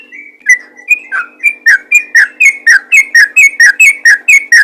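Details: Yellow-vented bulbul, in full voice, calling other bulbuls: after a few hesitant whistles the chirps settle into a regular, brisk sequence of short falling notes, about three per second, with a quiet hum behind.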